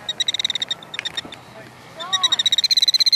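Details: Killdeer giving a rapid run of short, high, clipped notes, about eight a second, broken by a brief lull with a few softer sweeping sounds, then resuming faster and louder.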